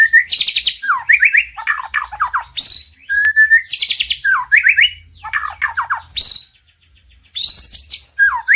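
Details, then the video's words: Master song of a champion male white-rumped shama, played to stir silent birds into singing: varied bursts of rapid slurred notes, chattering trills and a pure whistle, broken by a brief pause near the end. "Suara Masteran Murai Batu,Ampuh Naikan BIRAHI dan Emosi Murai DIAM jadi NYAUUT!"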